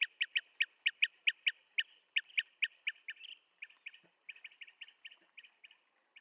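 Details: Blue-tailed bee-eater calls: crisp, loud chirps repeated about four times a second, growing softer and more irregular toward the end, with a steady high hum behind.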